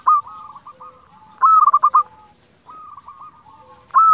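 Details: Local zebra dove singing actively, a lure recording for provoking other zebra doves to sing: phrases of a clear drawn-out coo followed by a quick burst of stuttering rolled notes, repeated about every 1.3 seconds in a quiet setting.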